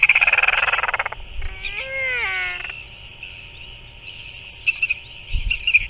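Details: Royal albatross chick being fed by a parent at a New Zealand nest at 5:41 pm on 7 February 2024: a fast rattling chatter for about a second, then a drawn-out, nasal, wavering squeal over steady wind noise, with faint clicks near the end.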